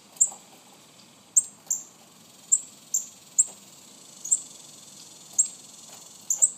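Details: Baby cardinals chipping steadily: bright, high, falling notes about every second, sometimes doubled, with faint clicks and soft hiss behind.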